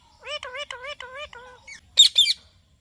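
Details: Talking Indian ringneck parakeet producing a run of five nasal, wavering, speech-like syllables in quick succession, then a pause and two sharp, harsh squawks.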